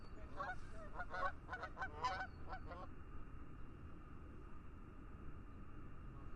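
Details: Geese calling over a lake in fog: a quick burst of overlapping nasal honks for under three seconds, then only a steady hiss of lake ambience.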